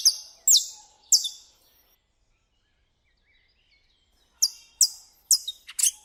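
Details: Saffron finch in nature in Brazil, giving bright, sharp high notes in two bursts, three at the start and a faster cluster of four or five at the end, with silence between.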